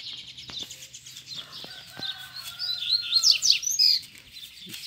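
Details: Caged male Double-collared seedeater calling wild rivals to fight, two free birds perched nearby on a wire. Softer twitter at first, then loud steeply rising and falling chirped notes in a fast burst near the end, with faint clicks.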